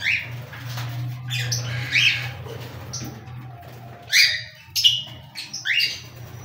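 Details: Cockatiels calling in a series of sharp upswept chirps and squawks, some doubled, spaced irregularly over several seconds, with a constant low background hum.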